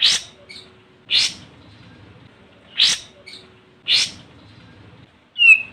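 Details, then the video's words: Olive-winged bulbul challenging a rival, used to draw other birds into song: four harsh, scratchy bursts, each followed by a soft short note, ending in a clear whistled note. "Suara Burung Kapas Tembak Manggil Lawan"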